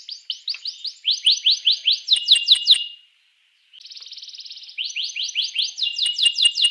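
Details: Domestic canary singing a song meant to spur rival canaries into song: bright upswept whistles repeated rapidly, a brief silence, a steady fine trill, then the rising whistled phrase returns and speeds up.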